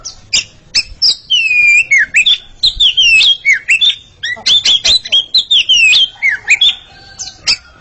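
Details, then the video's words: A pair of Oriental magpie-robins sing against each other, pouring out loud, clear whistled phrases that swoop down and up, densely repeated with brief chips between, in a quiet background. "Sepasang kacer sedang beradu kicauan"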